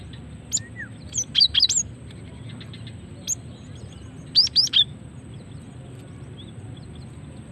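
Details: Female cinereous tit calling, used to lure males and trigger their singing: two separate clusters of sharp, very high chipping notes, each three to four quick notes, with a faint lower slurred note and a single isolated chip between.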